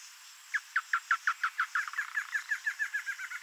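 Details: Wild male Double-collared seedeater, a songbird of marshes and pastures; loud rapid series of sharp chirped notes, about six per second, slightly speeding up and becoming buzzier toward the end.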